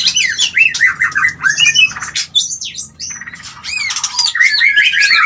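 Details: White-rumped shama calling to stimulate mating: dense, harsh squawking and scratchy notes mixed with sliding whistles, then a series of quick downward-curving chirps and a burst of varied chatter, with low background hum.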